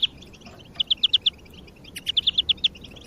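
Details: European greenfinch song, played as a lure to motivate other birds: two bursts of bright, evenly spaced chipping notes, five or six per burst, separated by a pause, over a faint background hiss.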